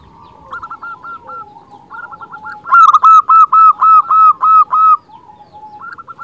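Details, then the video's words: Zebra dove of local stock, recorded as a lure to attract and excite other zebra doves. Quiet stuttering coos build into a loud, rapid series of about ten clipped, evenly spaced notes, then fade to soft cooing. "Perkutut lokal gacor Suara unik cocok untuk pancingan semua jenis burung perkutut"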